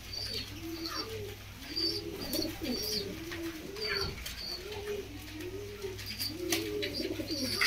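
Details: Pigeon parents feeding a chick: repeated low, rounded coos that rise and fall, with faint high squeaky notes and a steady low electrical hum indoors.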